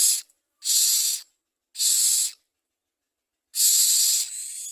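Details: Common myna at the nest as food arrives for the young: four separate breathy hiss bursts of about half a second each, spaced by silent gaps.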